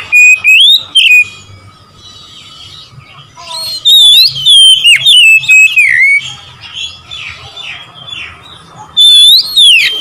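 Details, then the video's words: Rival-provoking song of an Oriental magpie-robin. Loud bursts of clear slurred whistles alternate with quieter stretches carrying a faint steady tone and soft chatter. A final loud whistled phrase rises and falls. "memancing emosi Kacer lawan"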